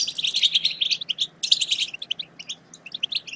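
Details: European goldfinch chatter meant to prompt goldfinches to sing: two dense bursts of bright, ringing twitter, followed by a string of separate sharp chirps.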